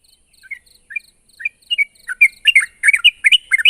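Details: Sooty-headed bulbul call aimed at a rival, starting with soft spaced chirps and building into loud, rapid, bubbly whistled notes, against faint high repeated ticks.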